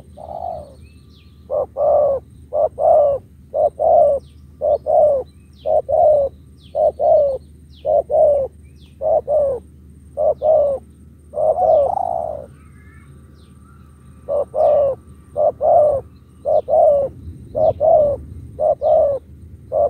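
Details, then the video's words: Caged spotted dove delivering 'thúc gù' coos: a long steady series of short, hoarse, low coos at roughly one per second, pausing briefly near the middle before resuming, faint distant chirping in the background. "Thúc gù"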